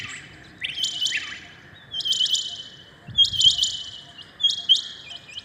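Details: Early-morning Rain quail: four bursts of sharp, high, slightly downswept metallic notes about a second apart, over a faint low background hum.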